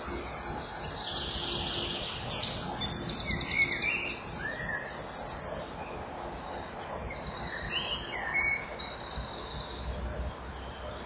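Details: Male common kingfisher calling loudly as he lands on the front perch at the nest burrow, a juvenile nearby, 05:41 on 6 June 2014, nest-wall camera; about eight sharp high notes in quick series, then fainter calling over steady background hiss.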